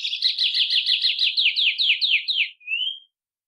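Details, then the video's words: Patativa-chorona (White-bellied Seedeater) song variant, one of five shown: a fast run of repeated bright, slurred chirping notes for about two and a half seconds, ending in one thin rising whistle. "vamos ver os cinco cantos diferentes da Patativa Chorona"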